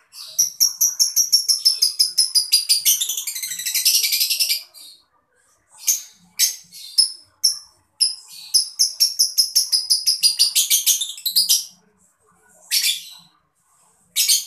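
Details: Mocca lovebird chirping to spur other birds into song: long bursts of fast, harsh, high-pitched twittering notes repeated about three per second, broken by brief pauses and isolated sharp chirps.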